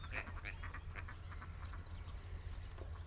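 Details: Adult Eurasian oystercatcher in summer plumage at Marshside RSPB Reserve, Lancashire, where the species breeds, 23 April 2011, gives quick, sharp piping notes about four times a second over a steady low rumble of wind.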